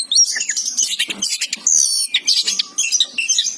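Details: Oriental magpie-robin, described as a lively singer, delivering a dense, varied high song of rapid chattering notes, buzzy bursts and short whistles in quick phrases, with brief pauses and a faint low hum behind.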